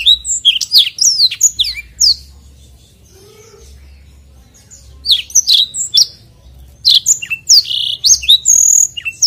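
A black-throated canary pours out a fast, high, varied song of sharp chirps and rolling trills in two long bursts, with a brief quiet pause between.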